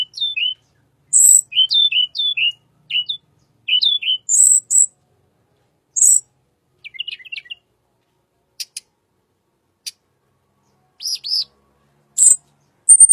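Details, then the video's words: Little pied flycatcher song, used as a lure for white-rumped shama: quick down-slurred double whistles repeated steadily, broken by high buzzy notes, then a soft twittering phrase and sparse sharp ticks and chirps after long pauses. "BURUNG TLEDEKAN SUARA UNIK"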